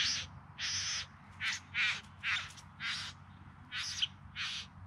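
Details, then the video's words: Bowerbird courtship display in the Yarra Valley near Melbourne, filmed in September 2020: a series of broad harsh, grating bursts, each about a third of a second long, repeated steadily with quiet low hum between. "Bowerbirds Singing and Dancing"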